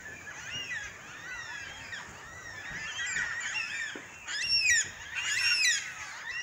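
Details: Black cockatoos on Eastbourne Avenue, 21 August 2021, give two loud, harsh screeching calls about a second apart over a steady background of chattering, twittering birds; onlookers react excitedly.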